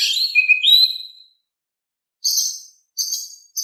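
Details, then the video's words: Oriental magpie-robin in energetic song, used to goad other birds into singing: a rising then falling whistled phrase, a pause, then three short harsh, very high bursts at roughly even gaps. "Kicau Kacer Gacor Suara Kalem cocok untuk bikin Nyaut Kacer Malas Bunyi"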